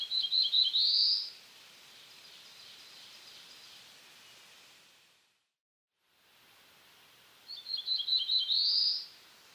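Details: Black-throated blue warbler giving two songs about seven seconds apart. Each is a brief series of high stuttered notes that ends in a rising buzzy slur, with faint hiss between them.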